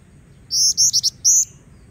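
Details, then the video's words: Female Black-winged Flycatcher-shrike singing as a lure for training other birds: a quick run of five high, thin, slightly rising notes, the first three evenly spaced, a short gap, then a final longer note, over a quiet low hum. "Kicau Jingjing Batu Betina Gacor Pancingan Bahan"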